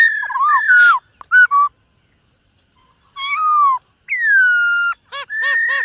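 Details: Morning voice-training song of a silver-eared laughingthrush, sung while dancing: clear slurred whistles rising and falling, brief sharp notes, a pause, then long sliding whistles and a quick series of pulsed, bubbling notes.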